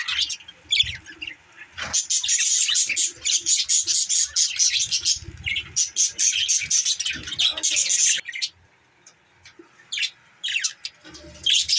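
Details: Several budgerigars chattering in a busy stream of high, buzzy chirps and rattling warbles that pauses briefly around the middle and falls quieter near the end before a few last chirps.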